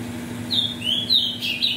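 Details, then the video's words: Brief phrase from a captive ultramarine grosbeak, offspring of mutation parents, used to warm up tournament birds: clear whistled notes gliding down and up in quick succession, low hum behind. "ESQUENTE seu AZULÃO em 5 MINUTOS"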